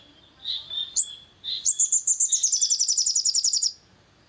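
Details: Long-tailed shrike song, played to rouse a bird into singing: a few softer whistled notes, then a fast, high, chattering rattle of around twenty notes falling slightly in pitch over two seconds.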